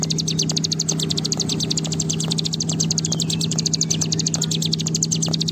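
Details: A bar-winged prinia pours out a long, unbroken run of rapid, high, sharp notes like a fast rattling trill, over a steady low electrical hum; the recording is used to stimulate other prinias to sing.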